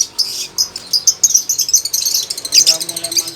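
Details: Lovebird starting to sing steadily: a loud, dense run of sharp, high chirps and squeaky twitters in quick, irregular bursts, growing busier toward the end.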